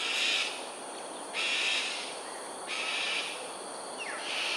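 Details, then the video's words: Cockatoos in an aerial display over Sungei Ulu Pandan, Singapore, at 7.43am on 13 January 2022, giving four harsh, raspy screeches about a second apart, with a short falling whistle near the end over a steady background hiss. "Cockatoos "Aerial Display""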